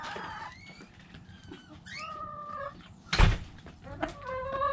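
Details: Backyard hens give sustained, level harmonic calls, a long drawn note near two seconds and another near the end, broken by a loud thump of movement midway.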